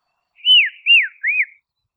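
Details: Tasmanian dusky robin calling in Australia, a soothing phrase of three clear whistles, each rising then falling in an arch, delivered rapidly against a quiet, clean background.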